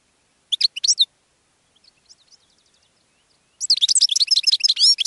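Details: Goldfinch song to attract other birds: a quick cluster of bright chirps, a pause with faint high ticking, then a dense, lively burst of tumbling twitters and buzzy notes running to the end.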